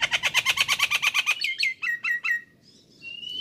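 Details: Vigorous full song of a Nias hill myna, used as a training recording for songbirds: a quick train of about a dozen harsh, even notes, then several loud falling whistles and a thin, steady rising whistle.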